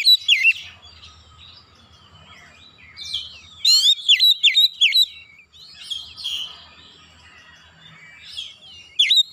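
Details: Oriental magpie-robin singing loose phrases of shrill whistles and sharp downslurred notes, some buzzy, with short pauses between bursts and a faint low hum behind.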